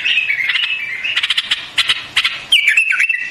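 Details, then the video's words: White-eared bulbul delivering a continuous warbled phrase of whistled notes mixed with clicky ticks, ending in a bright rising-then-falling whistled flourish. "Singing of White-Eared BULBUL, The beautiful sound of White-eared bulbul, صوت البلبل أبيض الأذنين"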